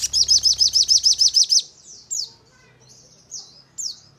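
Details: Sogon, the crimson sunbird, in a lure recording used to spur caged birds to sing and flutter. A rapid, regular high trill lasts about one and a half seconds, followed by a few separate sharp, descending chips.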